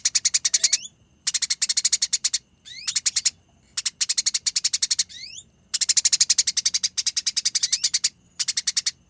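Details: Fighting Eurasian tree sparrows give long, clear rolling chatter. Rapid harsh chirps run in bursts of one to two seconds, broken by brief gaps, with a few thin upward-sliding whistles between the bursts.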